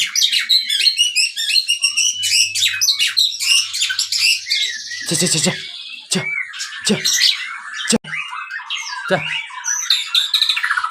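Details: Caged white-rumped shama from a breeding aviary, its song used as a lure to provoke other birds: rich, fast medley of high chirps, trills and harsh notes, broken by several sharp clicks or knocks.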